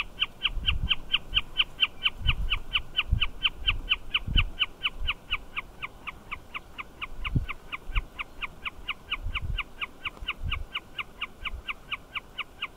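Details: A Wilson's snipe calling from a fencepost, which called continuously throughout, gives a long, steady series of sharp, mid-pitched notes, about three or four a second, over low wind thumps.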